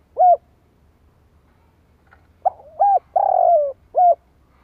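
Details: Spotted dove luring call: a lone arched coo, a pause, then a soft rough lead-in, a hooked coo, a long trembling coo falling in pitch and a closing arched coo.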